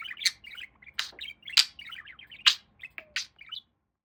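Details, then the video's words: A pet budgerigar, male, gives a short burst of buzzy chirps and sharp clicking notes, about one accent per second, before falling quiet. "Talking Parakeet"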